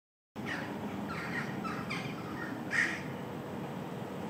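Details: Jackdaws in a tree on 8 August, including a young jackdaw about four months old, give short, harsh 'chak' calls, about five in four seconds, the last the loudest, over a steady low wind or traffic rumble.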